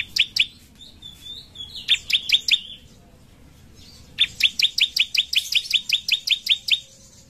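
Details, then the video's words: Sunbird (ciblek), kept as a master songbird for training other birds, singing a loud, ringing song of its characteristic 'tembakan' bursts: rapid series of sharp, high chirps, one short burst, then a longer run of about fifteen notes. "Ciblek mana yang gak ikut bunyi setelah dengar ini?"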